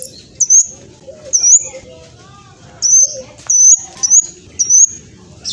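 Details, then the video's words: Olive-backed sunbird singing briskly, intended to make other birds respond: short high rising whistled notes given in separate bursts about every half second to second, with quiet gaps and a soft low background. "Kolibri blacksunbird trotol speed cepat semua burung akan ikutan nyaut respon"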